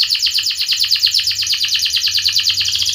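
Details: Loud canary 'gacor' song for teaching silent and young canaries to sing: a continuous rapid rattling trill of about ten units per second throughout.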